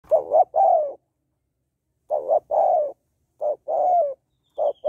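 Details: Female spotted dove calling to stimulate males: short paired coos near the same pitch, each pair followed by a longer, slightly falling coo, repeated in bouts about every one and a half seconds; a faint high whistle near the end.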